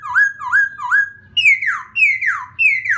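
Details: Laughingthrush song used to provoke another bird: loud whistled notes, three rising slurred phrases followed by three sharply falling whistles, repeated about every half second in a quiet indoor setting.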